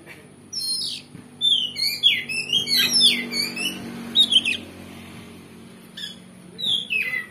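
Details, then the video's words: Oriental magpie-robin singing to rouse a rival to fight: a downslurred whistle, then a rapid run of sharp, bright notes, a pause, and a few more falling whistles, over faint background hum. "Pancingan Kacer Gacor Ngeplong Bongkar Isian"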